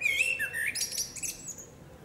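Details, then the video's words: Common blackbird female singing in woodland: a rising then dipping fluty whistle, followed by a jumble of thin, very high twittering notes that tail off. "Dźwięk śpiewu kosa. Samica kosa śpiewa. Kos śpiewa w lesie. sounds and singing of the blackbird"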